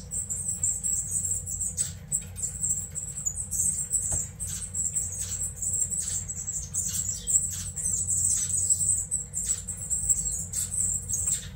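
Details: A mutation pair of Red siskins, female hatched 2021 and male 2023, Miami, 18 December 2023, twitter in a continuous high, thin chatter broken by quick sharp notes, over a low steady hum.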